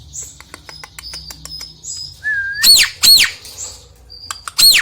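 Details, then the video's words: Song of a Nias hill myna, used to prompt a silent myna to sing: soft clicks and high thin notes, one smooth rising whistle, then three loud ringing whistles that arch and fall, spaced about half a second apart. "COBA UNTUK PANCINGAN JALAK NIAS YANG MALAS BUNYI"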